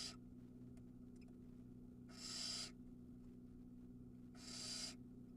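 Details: Young barn owl in its nest at Ram-on, Israel, during a feeding in which it swallows a mouse whole: a hiss at the start, then two more harsh, breathy rasps about two seconds apart, over steady low hum.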